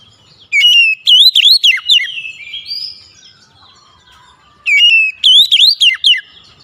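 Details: Oriental magpie-robin song played as a lure to coax a reluctant caged bird into singing: two bursts of loud, clear whistled phrases with sharp sweeping notes, the second repeating the first after a pause, quiet between.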